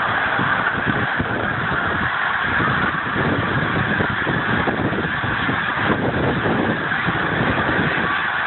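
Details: Thousands of geese lifting off together from a frozen lake in Pemberton, New Jersey, on 19 December 2010, a dense unbroken roar of overlapping honks with low thumping wingbeats underneath.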